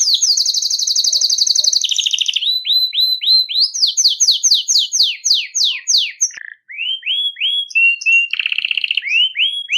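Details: Belgian canary in continuous song for warming up and training young canaries: a fast high trill, then repeated slurred downward notes, buzzy passages and upward-rising whistles.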